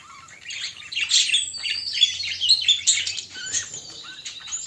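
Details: A budgerigar pair shown as lovers warbles softly at first, then breaks into louder scratchy chirps and short whistles, fading toward the end.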